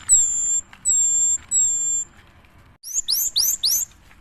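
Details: Cinereous tit singing as a lure for other birds: three long, level, piercing whistles, a short silence, then four fast, very high notes that swoop downward.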